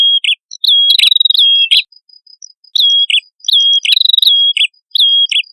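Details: Red-headed prinia pair, male and female, in a recording made to lure birds: bursts of pure whistled notes ending in a downward flick, separated by short pauses, with a thin high steady tone and faint ticks behind.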